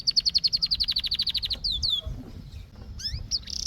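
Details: Canary giving a fast, evenly repeated trill of about twenty bright notes, then several swooping whistled slurs and a brief high buzz.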